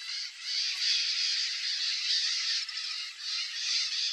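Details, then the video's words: White-eyed parakeet (Psittacara leucophthalmus), known in Brazil as periquitão or maracanã, guarding its nest entrance in breeding season: harsh, rasping screeches run almost without pause, dipping in a few brief gaps around the middle and near the end. "WHITE-EYED PARAKEET (PSITTACARA LEUCOPHTHALMUS) PERIQUITÃO MARACANÃ, Guarding the nest entrance."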